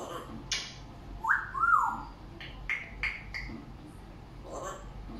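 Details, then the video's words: African grey parrot vocalising: a few clear whistled notes that rise and then slide back down, followed by short sharp clicks and brief bright chirps, with quiet pauses between. "African Grey parrot bird talking"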